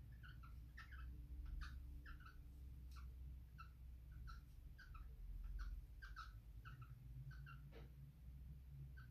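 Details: Female cockatiel wanting to mate, giving soft, short, bright chirps in quick irregular series, often doubled, repeated throughout, over a steady low indoor hum.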